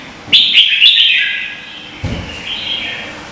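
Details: Vietnamese red-whiskered bulbul singing contest-style as a lure bird: a quick, sharp, bubbling whistled phrase that tails off, then a softer warbled follow-up, with a faint thump in between.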